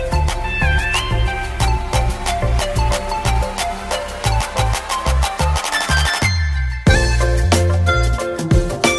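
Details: Loud electronic music with a steady beat and bright synthesized melody; no animal voice can be picked out.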